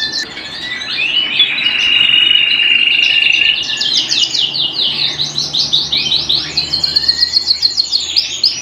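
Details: Canary singing indoors: a steady whistled roll first, then rapid rhythmic trills of descending notes repeated several times a second, climbing higher toward the end.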